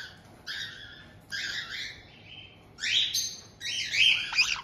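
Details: White-bellied caiques kept indoors in Tokachi, Hokkaido, June 2023, where a resident pair meets a newly acquired two-month-old youngster. Buzzy, drawn-out nasal calls give way to louder rasping, squeaky notes.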